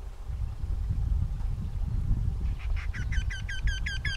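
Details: Eurasian wrynecks calling in the spring mating season while the female assesses the male's efforts: after a low rumbling stretch, a run of about eight nasal, ringing notes starts, repeated roughly six times a second.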